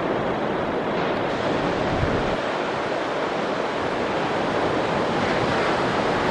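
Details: Continuous crashing surf and wind noise on a beach, with no animal calls audible.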